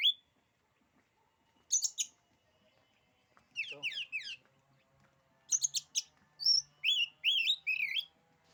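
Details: Oriental magpie-robin song, said to daunt rival magpie-robins: scattered high scratchy notes and quick descending sweeps, then a lively sequence of clear slurred whistles and a thin high note.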